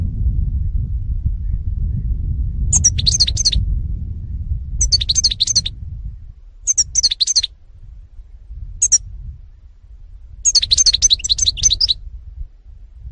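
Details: European goldfinch, 2018 recording: tinkling twittered phrases, each about a second long, repeated roughly every two seconds, with one brief single note among them; a low background rumble fades partway through.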